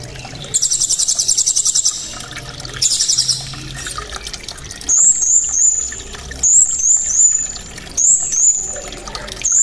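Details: Blue-crowned hanging parrot with a loud, sharp, very clear voice: two bursts of rapid, very high, shrill buzzy trills, then thin high whistled notes that slide downward, repeated in quick clusters over a faint low background hum.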